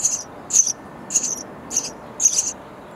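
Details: Nestling sparrows calling for food inside a bird house; five evenly spaced, harsh high-pitched buzzes about every 0.6 seconds, each brief and sharp, with little else audible.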